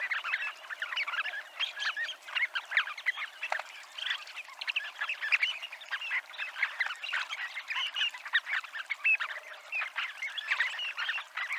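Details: Unbroken twittering from many Dunlins along the Abruñeiras promenade, Ría de Noia: short dry calls crowd together, with one brief clear whistle near the end.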